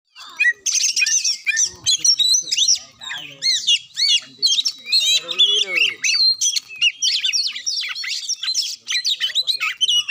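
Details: Oriental magpie-robin song, played to rouse a reluctant magpie-robin into singing: a fast, dense run of high whistles, chirps and harsh squawky notes, delivered in bursts broken by brief pauses.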